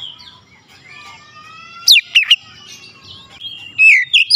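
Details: Oriental magpie-robin (kacer), stressed, giving a few loud downward-swooping whistles between quiet thin warbled notes, ending with another brief loud phrase.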